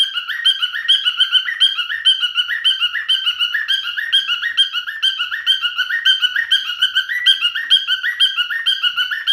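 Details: Pet male cockatiel singing a long continuous phrase of clear, chirping whistles that rise and fall, repeated about twice a second in a steady rhythm.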